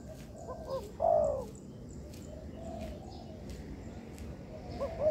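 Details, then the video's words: Spotted dove in training in a man-made yard: soft short notes followed by one louder drawn-out coo, then faint cooing phrases over a hissy background with light ticking sounds. "Melatih Bahan Ajaran Tekukur di Laman Buatan"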